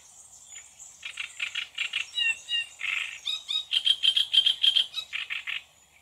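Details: Song of a great reed warbler recorded in June: rough, guttural chattering notes in fast repeated runs, with a raspy burst midway and a loud, strident rhythmic series near the end.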